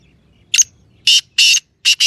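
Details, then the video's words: Francolin call, known as titer in Sindhi: a short harsh opening note, a pause, then loud grating bursts in a steady sequence, ending with a close pair. Low faint rumble in the background. "Titer Awaz Sindhi Patha Beauty Voice"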